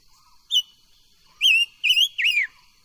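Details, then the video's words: Voice-training song of a silver-eared mesia: one brief clear note, a pause, then three bright wavering whistles. The final whistle bends downward. "Tiếng chim ngũ sắc hót hay luyện giọng ngũ sắc"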